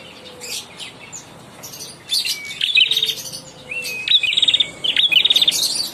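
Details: Young ashy prinia singing actively; after a quiet start, high bright phrases of rapid ticking, trilled notes begin around two seconds and repeat in short bursts, with a faint low whistle in the background.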